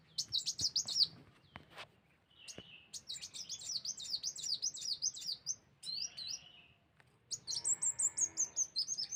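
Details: Sunbird of the wulung type used as a lure for other birds: bursts of sharp, high, downslurred chirps in fast runs, broken by short pauses and a few lower notes, ending in a brisk descending chirping sequence.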